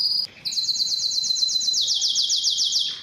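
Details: Spanish Timbrado canary in song: a short high note, a brief gap, then a continuous metallic rolling trill that steps up slightly in pitch midway.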